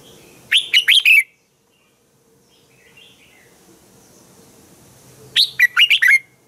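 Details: Morning song of a red-whiskered bulbul used as a training voice for other bulbuls: two short bursts of four or five sharp, whistled notes, opening and closing the recording with a long quiet gap between.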